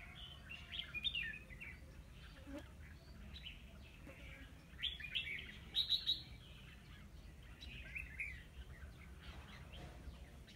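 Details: Red-whiskered bulbul used as a decoy bird in a trap, singing to lure others; recorded 9 October 2016 in Vietnam. Short bright warbled phrases come in scattered bursts, with steady low rumbling background noise.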